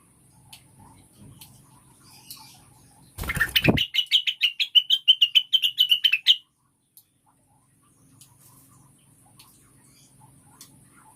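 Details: A sudden broad burst of noise gives way to a three-second string of rapid, ringing chirps, slightly wavering in pitch, from a cucak wilis lure recording for making caged birds sing, then fading to quiet low hum.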